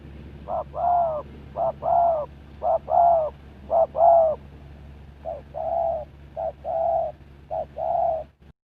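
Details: Spotted dove kept as a lure for catching wild birds, singing a long series of soft coo-crooo pairs, a short clipped note before each longer rounded one, about a phrase per second, the later phrases slightly quieter, with a low hum throughout.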